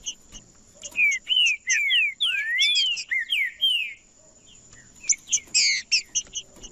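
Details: Trinca-ferro, the green-winged saltator, singing to stir other birds into song: a rich run of sliding, bell-like whistled notes lasting about three seconds, a pause, then a burst of sharp clipped notes, with a constant faint high hum behind.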